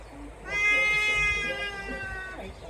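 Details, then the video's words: Trumpeter hornbill giving its signature cat-like call at Mjejane Private Game Reserve, Kruger National Park, South Africa, December 2022: one long, nasal, wailing note with rich harmonics, held nearly two seconds over quiet background hiss. "Trumpeter Hornbill call"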